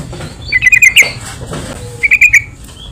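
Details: Yellow-vented bulbul song used as a lure for other bulbuls: a quick bubbling run of five or six chirpy notes, a sharp chip, then another short burst of four bubbly notes.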